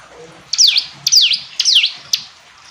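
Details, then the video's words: Three quick phrases from a hill prinia, each a ticking onset curving into a falling whistle, followed by a single short note against faint hiss. "Ciblek gunung istimewa, hitungan detik dijamin langsung bunyi ‼️ jernih"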